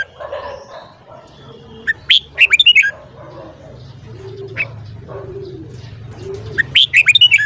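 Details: Red-whiskered bulbul singing in the morning: two lively phrases of quick, liquid whistled notes, rising and dropping, separated by a few lone chirps and soft background murmur and low hum.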